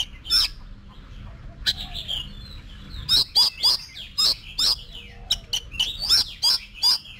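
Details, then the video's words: Oriental magpie-robin practising competition song: a rapid series of loud, sharp, downslurred whistled notes, roughly three per second in the second half, after a quieter opening, over faint hum. "Luyện Giọng Cho Chòe Than Hót Đấu"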